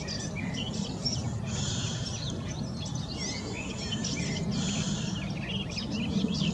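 Garden warbler giving a fast, rich, rambling warble in long bubbling phrases, partly masked by a steady low rumble of wind or distant traffic.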